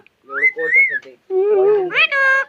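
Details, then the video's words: Pet parrot over 25 years old in a Konkan village mimics a human voice: a whistled rising-falling phrase, then lower voice-like syllables sliding up into a rich, harmonic-laden tone. "My Village Parrot🐦 Voice so Amazing"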